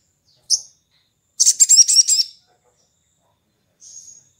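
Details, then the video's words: A morning lure song of the sogon, or sooty-headed bulbul, used to get other birds singing: a single sharp high note, then a rapid run of about eight buzzy, very high pulses, and a faint thin whistle at the end. "Pancingan sogon ngalas dipagi hari bikin sogon bahan ikut ngalas dan rajin bunyi"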